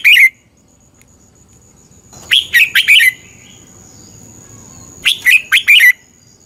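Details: Red-whiskered bulbul from Thailand singing, used to train or excite caged birds: a brief note, then two phrases of four quick, clear, bubbling notes about three seconds apart, with a faint steady high whine.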